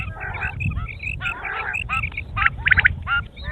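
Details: Quail calling in a busy group, short bright chirps and nasal notes overlapping, with a burst of sharp, louder chirps near the end over a low rumbling background.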